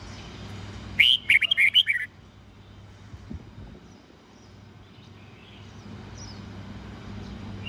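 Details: Red-whiskered bulbul morning song in the 'old forest voice' style of 8-9-10 notes, played to train young white-cheeked birds. One quick phrase of about seven bright, chirpy whistled notes over a second, then a quiet background hum.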